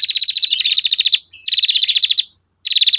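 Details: Rapid high-pitched trill of a female prinia, recorded for tutoring birds: rattling series of fast repeated notes about a second long, a brief whistled link, then another trill after a pause.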